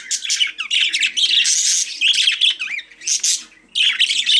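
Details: High, raspy budgie squawks and chirps tumble together, with a few clear rising and falling whistled notes before a short pause and renewed chatter.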